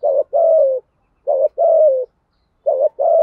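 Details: Decoy spotted dove coos meant to stir rival males into singing. Three paired phrases, each a short coo followed by a longer, slightly falling coo, spaced about a second apart.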